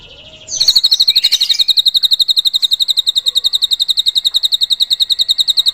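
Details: Drongo with cililin filling in its song, a master recording for training cage birds: after a brief twittering start, a rapid, even series of piercing high notes runs on without pause.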